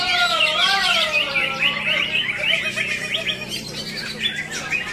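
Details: Greater green leafbird singing at a songbird competition in Ngunut, Tulungagung: a rapid, tumbling stream of high, varied chirps and slurred whistles, densely packed with hardly a pause, over a faint low background murmur.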